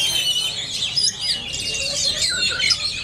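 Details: Captive Oriental magpie-robin performing at a bird-song contest training session at a field in Jelutung, Jambi, Indonesia, on Friday 23 December, pouring out a dense, high, continuous warbling song of quick whistles and chattering notes, faint voices underneath.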